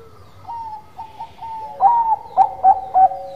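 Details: Zebra dove, Bangkok perkutut type, in gacor manggung song. Soft, level whistled coos at first, then four loud, clipped ringing notes spaced about half a second apart, closing on a steady held tone.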